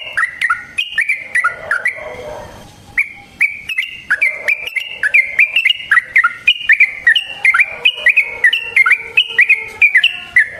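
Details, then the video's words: Long flowing song of a yellow-vented bulbul in 'gacor ropel' style, used to lure and trap other bulbuls: continuous bubbly, warbling notes rising and falling in quick succession, with scattered sharp clicks throughout. "Suara Burung Trucukan GACOR ROPEL Panjang Ampuh Untuk PANCINGAN TRUCUK Bahan dan PIKAT TRUCUK"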